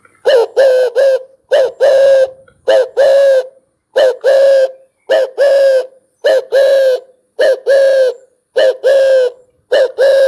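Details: Spotted dove cooing steadily: husky, low coos in tight phrases of two to three notes, each phrase ending in a longer drawn-out coo, repeated about once a second with short silent gaps.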